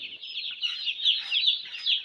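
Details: Flock of broiler chicks being brooded in winter, producing a steady dense chorus of shrill high peeps, individual cheeps rising and falling rapidly over one another.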